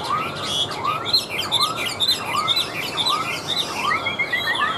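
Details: Caged, hand-tame Chinese hwamei singing from a table, a dense jumble of quick high whistled notes and slurs above a regularly repeated arched lower note, with constant background noise.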